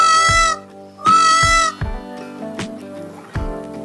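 A peacock gives two loud, nasal, trumpeting wails about half a second apart, over background music with drumbeats.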